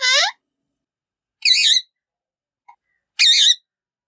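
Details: Talking pet ringneck parrots, said to speak in Urdu and Hindi; a rising harmonic call, then two harsh wavering screeches about one and a half seconds apart, with a faint click between.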